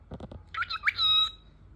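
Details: Talking parrot kept as a pet lets out a harsh, buzzy squawk lasting under a second, bright and high with layered overtones, preceded by three soft low thumps in a small indoor room.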